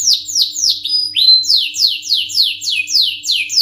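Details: Canary in full song, repeating quick downward-slurred high whistles about three times a second, broken by a brief pure steady note, with a faint low hum in the background.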